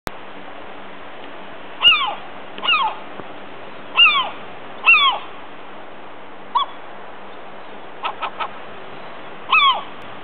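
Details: Gull calling in Andenes, Northern Norway: a series of short, downslurred mewing cries spaced one to two seconds apart, with a few quick clipped notes, over steady background hiss.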